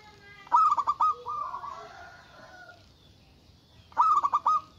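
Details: Local zebra dove calling loudly to challenge rivals: a quick series of staccato pulses running into a rolling coo, then another pulsed burst starting.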